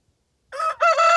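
A rooster crows after a moment of silence: a loud, brassy, strained cry in two parts, with a short dip before a sustained second note. Nothing else is heard.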